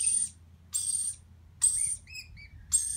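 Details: A baby lorikeet being fed gives harsh, rasping begging screeches, each under half a second and repeated about once a second, with a few thin squeaky notes between them.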